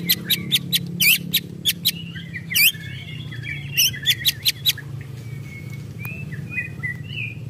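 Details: Agitated white-rumped shama giving ketrekan: sharp, dry, clicking ticks that come in an uneven series, with faint thin whistles later and a steady low hum behind.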